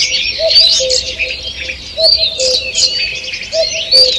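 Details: Several birds sing together in a forest on the morning of 2 June 2023, with bright chirps and rising whistles. A low double hoot returns roughly every one and a half seconds, three times.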